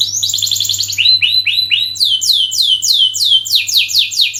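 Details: Canary singing a long, lively song used as a lure for training: fast trills of high notes, then a series of downward-sweeping whistled phrases repeated several times a second, with a faint low hum beneath.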